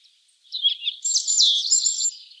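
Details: European Robin giving a short song phrase: a few thin, wavering notes, then a bright, very high twittering flourish held for about a second before fading.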